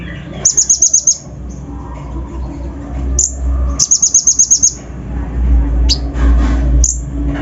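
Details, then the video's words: Kolibri ninja lure song used to fire up other birds: two runs of rapid, high, ringing chirps and a few single sharp notes over a low rumbling background. "PANCINGAN KONIN BAHAN FULL ISIAN KASAR COCOK UNTUK MENAIKAN EMOSI BURUNG BAHAN"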